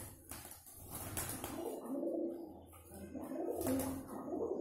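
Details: Pigeon courting indoors: low, throaty rolling coos swelling and fading in repeated bouts, with soft rustling and faint background noise in a small room.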